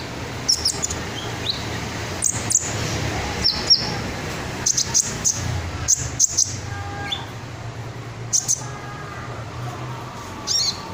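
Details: Red sunbird, a songbird kept as a song tutor, uttering scattered very high sharp tsip notes and brief twitters at uneven intervals over a low background rumble.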